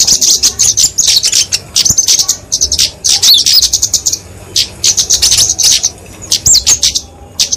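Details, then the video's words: High, rapid fighting song of a flowerpecker, used for training and luring songbirds: thin chips in bursts mixed with short, slurred high whistles and pauses. "Kicauan Kemade Tarung Untuk Masteran&Pikatan Burung Kecil"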